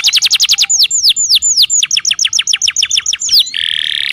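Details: Domestic canary song used as a tutor recording to coax lazy canaries into singing: a fast run of bright, repeated, downward-sweeping whistled notes that shift through several phrase types, finishing in a dense buzzy trill.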